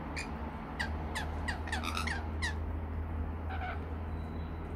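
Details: Rainbow lorikeets feeding on sweet nectar mix: a quick run of short, shrill screeching squawks over the first two and a half seconds, then a few fainter ones, all over a strong steady low hum.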